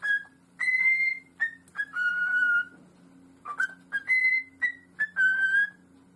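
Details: Pet parrot giving a clear, flute-like whistled phrase: short and held notes at a steady mid-high pitch, repeated in two similar sequences separated by a brief pause.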